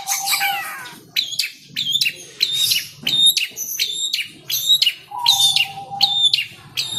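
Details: Long-tailed shrike (cendet), kept as a pet and aggressive when teased, gives sharp high notes mixed with rising whistled slurs, roughly one burst per second, over a low rumbling background and a level whistled tone.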